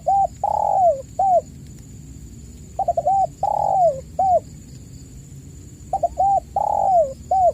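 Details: Spotted dove call used as a lure for caged doves that are silent: three soft, hollow coo phrases about three seconds apart, each stuttered notes then a drawn-out descending coo and a brief final note, with constant faint electrical whine.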